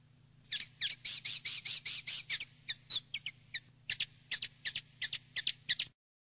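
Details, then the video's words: Common linnet singing a field-style (campero) song, used for tutoring young linnets: a run of rapid, bright, high chirping notes, at first in a fast rolling burst and then spaced and repeated, over a faint steady low hum. "NUEVO CD CAMPERO PARA EDUCAR PARDILLOS"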